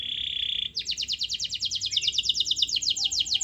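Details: Canary singing in a lively, vigorous style, used to provoke a silent canary into singing: a brief buzzy note, then fast repeated high trills of sweeping notes at an even pace, with faint low background hum.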